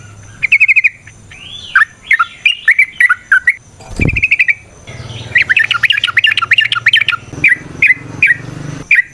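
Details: Yellow-vented bulbul (trucukan) fighting-style song for provoking; bubbly warbled phrases, a thump near the middle, then a dense chattering burst and spaced chirps over low hum.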